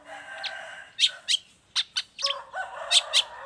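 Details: Long-tailed shrike singing energetically, a recording meant as a tutor and lure for other shrikes. Sharp high chips and short slurred notes, with a steady lower whistled tone running in the background.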